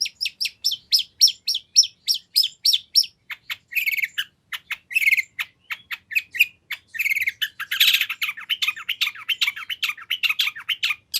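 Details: Long-tailed shrike in an energetic song used to coax a shrike into answering: rapid, regular high chirps, then harsher, buzzy, overlapping chatter that continues to the end.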